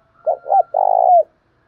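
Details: Spotted dove giving a challenging contest coo in the thổ pha voice style, meant to provoke a decoy dove into calling quickly: two short mellow coos, then a long rolling coo that slurs downward, over a faint steady high tone.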